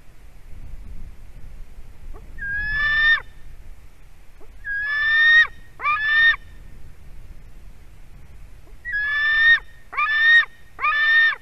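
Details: White-tailed eagle chick begging during a fish delivery at a Durbe nest livestream, 31 August 2020 at 4:50 pm: seven grating screams in groups of one to three, over a low rumbling background.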